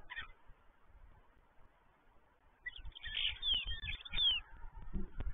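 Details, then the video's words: Common starlings, five birds visiting a still-empty stork nest; after a quiet start, a brief run of slurred whistles and harsh chattering notes comes in the second half over a low rumbling background. "Pięć radosnych szpaków (Sturnus vulgaris)"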